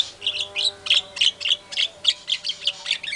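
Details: White-rumped shama in full song, used as a lure to provoke other shamas: rapid series of harsh, buzzy chirps repeated about twice a second, with a faint steady hum underneath.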